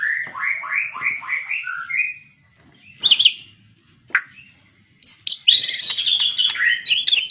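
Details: Magpie-robin song opens with a quick series of looping whistled notes, pauses with two short sharp calls, then bursts into a dense, high, chattering warble.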